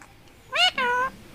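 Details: Young captive talking rose-ringed parakeet mimicking sounds. It makes a two-part 'me-ow', a short rising harmonic syllable, then a longer steady tonal note, in a quiet indoor setting.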